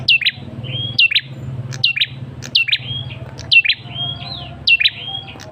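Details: Male red-headed tailorbird lure call used to provoke a response from other birds: sharp high whistles sweeping steeply down, each followed by a level whistled note, repeated roughly once a second over a low steady hum.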